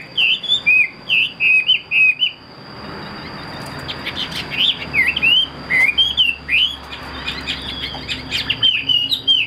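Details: Chinese hwamei, a caged show bird with tight wings and a fanned tail, sings a fast run of loud, looping whistled phrases that rise and fall, with a steady high electrical whine behind.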